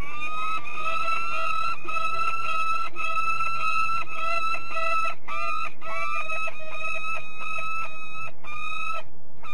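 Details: At De Mortel, Netherlands, a peregrine falcon calls steadily for nearly ten seconds, with long grating notes followed by a faster run of shorter harsh notes. A faint low hum sits underneath.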